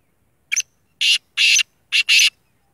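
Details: All-black sheedi black francolin, locally kala tetar, giving its loud rasping call: a brief opening note followed by four broad, grating notes grouped two and two, clear against a silent background.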